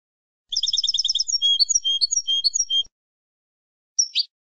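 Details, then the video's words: European goldfinch singing in the classic ancestral Malagueño style, from a training recording meant to teach young birds; a fast run of repeated high twittering notes, then varied chirped phrases, a short pause and one final sharp note. "JILGUERO MALAGUENO CLASSICO ANCESTRAL"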